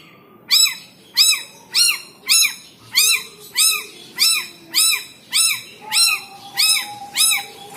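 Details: Kept long-tailed shrike, described as fierce when teased, gives a steady series of harsh, nasal, arched notes about every 0.6 seconds. A thin steady whistle runs faintly beneath toward the end.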